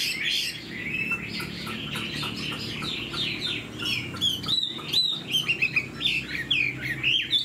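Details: Caged hwamei, tail fanned and freshly moulted, sings with laughingthrush-style tail flicks; a busy stream of slurred whistles and chattering notes, growing louder and more broken into sharp bursts toward the end.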